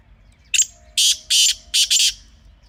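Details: Loud grating call of a wild black francolin from Pakistan, used for hunting: one brief rasp, then a run of four harsh buzzy bursts within about a second and a half.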